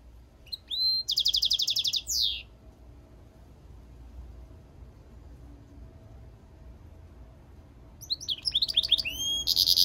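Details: European goldfinch mule in song: an opening burst of fast, high, buzzy trilling, several seconds of quiet, then twittering notes leading back into the rapid trill.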